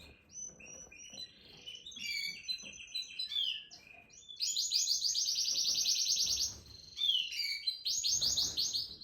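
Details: Singing canary mixing slurred whistles and descending notes, then breaking into a long loud rolling trill lasting about two seconds, followed by another rapid trill burst.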